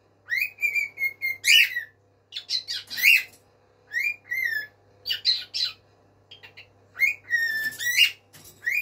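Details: A male pet bird, calling to his mate, gives loud, ringing whistles, some flat, some slurred, mixed with harsh squawks, in quick bursts about once a second over a faint steady hum; bird.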